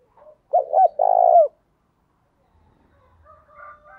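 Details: Spotted dove decoy calling to provoke other doves: one clear phrase of two short notes and an extended low coo, followed by faint distant cooing and a low rumble.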